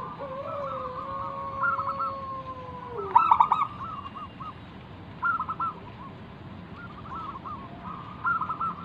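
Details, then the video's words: Lively wild local zebra dove singing as a lure for other doves: long steady whistled tones at the start, then short rolled, stuttering coo phrases repeated every second or two, with a burst of sharp clicks. "burung perkutut lokal Gacor manggung - pancingan pikat paling Ampuh mengundang bunyi"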